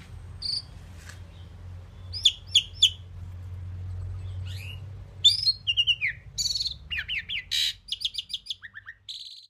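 A pied myna gives a varied jumble of whistles, squeaky chirps and clicks in quick bursts, over a low distant rumble.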